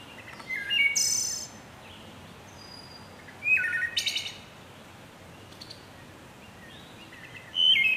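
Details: Wood thrush song: three separated flute-like phrases, each opening with clear low whistles and ending in a high, buzzy, ringing trill, spaced a few seconds apart over steady outdoor background hiss.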